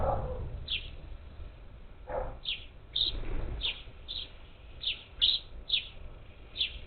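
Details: A flock of parakeets, up to ten birds, at a feeder on Houston's outskirts, Texas, in July 2021: a run of scratchy chattering squawks, quickening toward the end, with a few low knocks.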